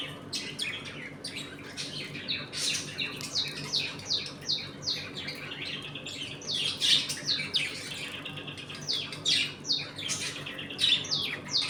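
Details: Several budgies in a home colony chatter continuously while eating and playing: rapid high chirps and warbling notes, dense and overlapping, with a faint steady hum in the room.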